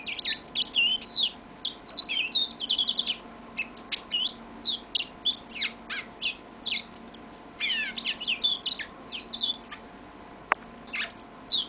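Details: Pet yellow-fronted canary (Crithagra mozambica) singing a notably long song: a fast, warbling run of high, sweet chirps and trills in bursts with short pauses, over a faint steady hum.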